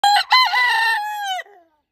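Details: A Welsummer bantam rooster gives one brisk crow of about one and a half seconds, opening with two short clipped notes and ending in a drawn-out, falling wail.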